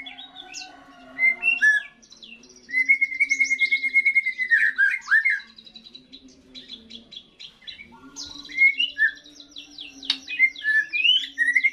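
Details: First post-moult song of a juvenile white-rumped shama: a fast, varied stream of chirps, trills and sweet whistled notes in bursts separated by brief pauses, over a constant low background hum.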